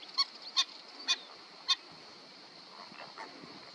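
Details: Black-winged stilt uttering four sharp, nasal kek-like notes roughly half a second apart, then fainter muffled calls trailing off under a constant background hiss.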